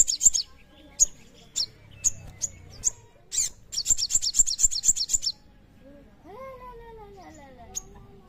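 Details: Crimson sunbird (sogon), singing energetically: sharp, very high chirps, first spaced about every half second, then a fast rattling burst of repeated notes, followed by a lower, smoother sliding whistled sound.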